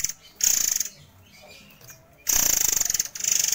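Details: Contest-favourite white-crowned forktail with speedy, dense song: two bursts of very high, rattling pulsed trills separated by a quieter stretch of softer chatter.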